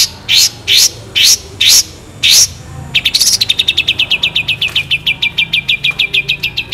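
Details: Long-tailed shrike (cendet) in lively masteran song full of mimicked phrases (isian), with sharp, long, clear 'tembakan' shots: five loud rising whistled sweeps, then a fast, even trill of bright high notes that slowly drops in pitch.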